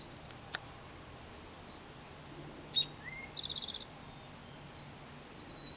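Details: Male eastern towhee singing his mating song, said to sound like "drink-your-tea," in a backyard in spring: a sharp high note, a lower rising note, then a short buzzy trill, over steady background hiss.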